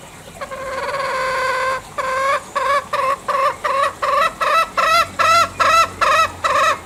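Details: Bali green junglefowl: a steady drawn note opens, then a rapid train of about eleven nasal, bent cackling notes that grow slightly louder and more strained toward the end.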